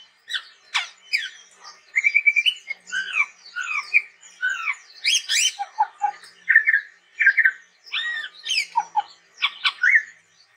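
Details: Vigorous varied song of a chestnut-rumped babbler, a jumble of sharp whistles, squeaky upslurs, buzzy chatters and short descending notes delivered continuously.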